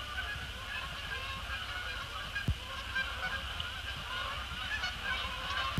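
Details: Canada geese flying in after sunset to land on Sapsucker Woods Pond; softer, more distant honks blend together against a steady hum, with two brief clicks.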